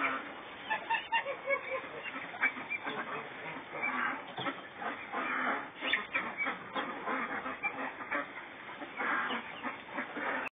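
Guineafowl giving harsh, rasping cackles, repeated in rapid, uneven bursts.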